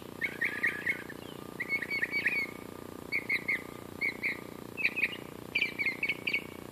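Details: Bird song from Western Ave, Glendale, California, temperature 84.9°F: a steady series of brief twittering phrases, each a quick cluster of chirps with a slurred note, repeated about every second over faint traffic-like hum.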